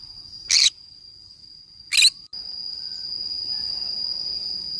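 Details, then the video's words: Green-cheeked conure playing by itself in the forest utters two gritty, abrupt screeches about one and a half seconds apart; a steady high-pitched whine runs underneath. "I play alone in the forest : green cheek conure parrot sounds."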